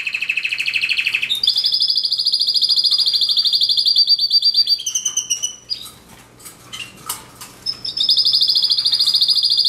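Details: Canary singing: a long, fast rolling trill of rapidly repeated high notes, shifting to a slightly higher pitch, then a scattered run of sharp varied chirps and short whistles before the rapid trill resumes.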